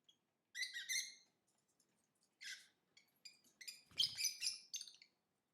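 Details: Lovebird chirping: separated shrill, harmonic chirps, then a denser cluster of high squeaky notes mixed with a low thump or rustle near the end.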